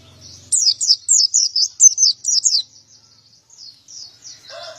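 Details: Male white-eye in 'gacor' song, called 'ngalas ngeplong': a crisp run of roughly nine bright, rapid downslurred chirps, trailing into soft high twitters, faint crowing at the very end.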